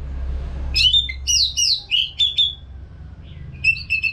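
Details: Orange-headed thrush (Geokichla citrina) sings a loud, varied song of rich, high, quick whistled and slurred phrases, pausing briefly before a further burst of sharper notes, over a low background hum.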